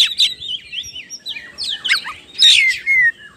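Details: Oriental magpie-robin singing insistently as a lure for other birds: sweet slurred whistles rising and falling, quick chattering runs, and a clear ringing downslurred whistle near the end.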